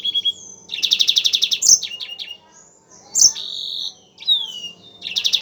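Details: Yellow-fronted canary in full song for training other songbirds: a brief steady whistle opens into a rapid rattling trill, then sharp chips, a sustained high buzzy note and a down-slurred whistle, ending with another fast trill.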